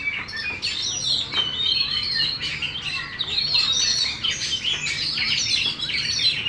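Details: Oriental magpie-robin kept for song contests, tail fully opened, pouring out a continuous jumble of high chirps, trills and scratchy notes with barely a pause.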